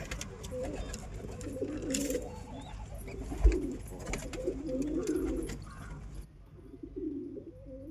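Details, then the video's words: Muffled, low bubbling coos from a pigeon come in several short phrases, with one dull thump midway and a quieter final coo after a pause. "Real pigeon sound"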